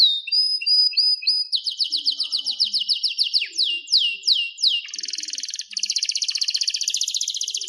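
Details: Canary song: a few flat whistles, then a rapid series of descending slurred notes, slower loud sweeps, and finally long dense buzzy rolls.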